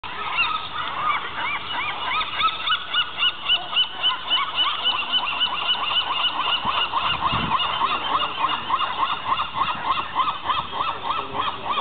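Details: A dense chorus of gulls at a ruined building on Alcatraz island: harsh, nasal, arching calls overlap continuously, about three or four per second, with no pause.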